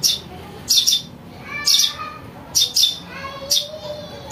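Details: House sparrow chick calls used as a lure for trapping birds: sharp high chirps in pairs, roughly one burst per second, with faint lower whistled notes between and quiet background hum.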